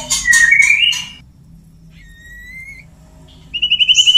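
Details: Male white-rumped shama wooing a female with sparse, clean whistles: a rising slurred note with chatter, a long steady whistle after a pause, then a fast warbling trill.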